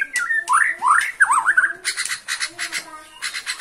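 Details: Excited Borneo-type white-rumped shama reacting to a rival, giving fast up-and-down whistled sweeps followed by harsh rhythmic rasping bursts in quick succession.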